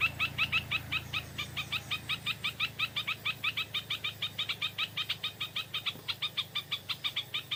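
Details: Stripe-throated bulbul, wild and drawn in by a decoy bird in the evening, pouring out an unbroken stream of quick, bright, slurred notes, about three per second, throughout.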